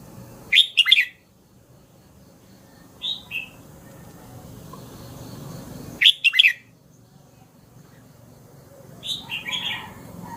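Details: Red-whiskered bulbul repeating a loud, clipped three-note warbled phrase about every six seconds. Softer slurred notes follow each phrase, over a low background hum.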